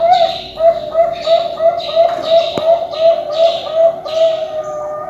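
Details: Zebra dove (perkutut) of competition quality, from a bird farm: a steady, rhythmic series of soft cooing notes, about three per second, each with a slight rolling lilt.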